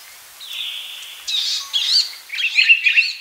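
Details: Palestine sunbird song beginning with a drawn-out thin buzz, then breaking into quick, high, warbling twitters that grow louder toward the end.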